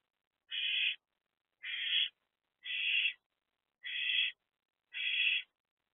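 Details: Owlets, three in a nest box, recorded 13 April 2024 between 1:05 am and 12:46 pm: five even, clean hissing screeches of half a second each, spaced about one second apart, with silence between.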